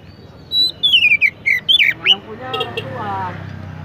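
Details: Oriental magpie-robin, known locally as kacer, singing vigorously: a quick run of clear whistled notes, some sliding down, over about two seconds, followed by a lower harmonic sound that may be human voice and a low background murmur.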